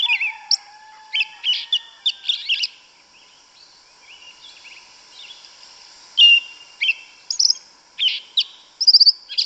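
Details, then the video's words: In the forest a yellow-legged thrush delivers its 'canto mateiro' song: clusters of high, clipped and slurred notes, a quiet gap, then more sharp whistled phrases and fast trilling bits near the end, with a faint low whistle underneath early on. "Sabiá Una cantando no mato. Lindo canto mateiro da sabiá preta"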